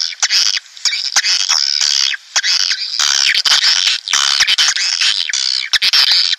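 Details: Swiftlet attraction sound for a nest house: loud, dense shrill twittering and buzzy chattering in long bursts, with a few brief gaps and sharp clicks.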